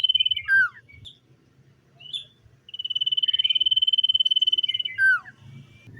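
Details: Common iora singing in the morning: a long, steady whistled note near one pitch with a fast pulsing texture, bracketed by sharp down-slurred whistles, over a faint low rumble.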